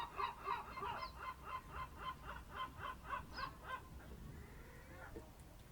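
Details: Early-morning bird calls from the Ambracian Gulf, Amvrakikos National Park, Greece, recorded at a fishing harbour on the Ionian Sea, 27 March 2026 at 07:40; a rapid run of honking notes for four seconds, then fading into quiet.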